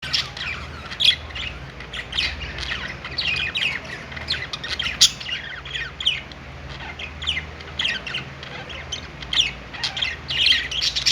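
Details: Budgerigars in a pet store, several birds on a perch chattering together: dense, overlapping high chirps and short squawks, with scratchy warbling running continuously and sharper peaks around one, five and ten seconds, over a low steady hum.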